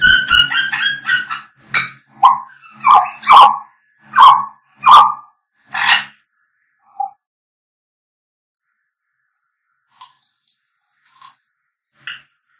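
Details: Singing and whistling by African grey parrots: a rapid stutter of harmonic notes, then loud, evenly spaced squawks and whistles about every half second, fading to a few faint, sparse calls.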